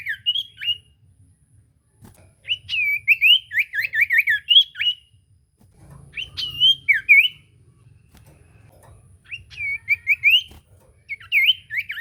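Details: Common iora song used as a lure so a silent bird sings back, with clusters of rapid slurred whistles and sharp upswept notes in bursts separated by short pauses.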